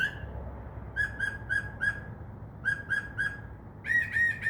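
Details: Mockingbird, a mimic of crows and dove wings, singing at night in a tree by a window; clipped whistled notes in runs of three to four, ending with louder ringing repeated notes.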